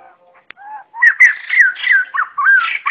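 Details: Flock call of the white-crested laughingthrush: a few soft low notes, then a loud rising series of slurred whistles and chuckles growing in strength over about two seconds, no background noise.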